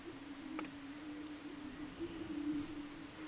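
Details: Greater prairie-chickens lekking at Bledsoe Ranch, Wray, Colorado, USA, on 9 April 2022 give a steady, low, hollow moaning hum that overlaps without a break, with a sharp click and faint higher calls behind.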